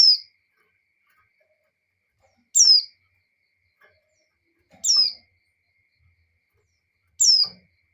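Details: Female white-eye in breeding condition calling for the male; four sharp, high, falling whistled notes spaced about two and a half seconds apart, clean and loud against near silence.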